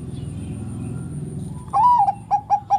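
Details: Bangkok-type zebra dove, kept as a songbird that stirs other doves to call, begins its phrase after a quiet stretch of low hum: a rising opening coo, then three short clipped notes as the clip ends.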